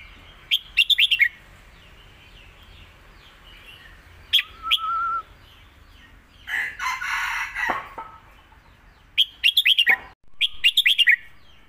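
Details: Caged competition red-whiskered bulbul alternating a master song with the lak wai style to teach young birds: repeated quick phrases of five whistled notes, a drawn-out level whistle, and a loud harsh noisy burst midway.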